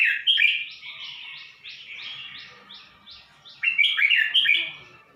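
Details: A caged red-whiskered bulbul from Suan Phueng, Thailand, newly with its owner, sings a long run of repeated rising slurred notes, then breaks into a louder jumbled warbling phrase before fading out.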